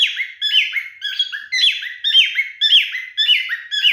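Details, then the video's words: Male cockatiel courtship singing indoors: clear chirpy whistles repeated rhythmically, nearly two per second, each phrase sliding up then down in a bouncing pattern. "#MaleCockatielMatingBehavior #FunnyCockatiel #CockatielScreaming #CockatielMaleBestSinging"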